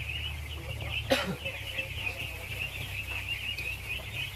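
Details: Many thousands of ducklings eating, giving an unbroken high-pitched peeping chorus; a sudden sharp knock or voice breaks in around one second, with low humming in the background.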